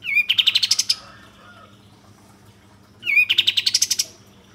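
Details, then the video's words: Kapas tembak bulbul, a lure to make birds sing and fan their tails; two short bursts of rapid, rising chirps about two seconds apart, separated by quiet. "Pancingan Kapas Tembak Agar Bunyi Gacor dan Buka Ekor Tercepat"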